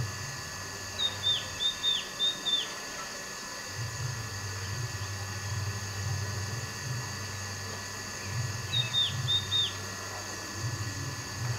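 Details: Green-backed tit near a hotel in Pelling, West Sikkim, gives high, thin, down-slurred calls in a quick series of about five, repeated after a pause, over a low rumbling background hum.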